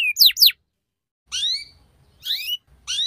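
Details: Canary tutor song in the ngeriwik style, meant to help young canaries learn quickly: a few sharp, steeply falling chirps, then spaced slurred downward notes separated by pauses of silence.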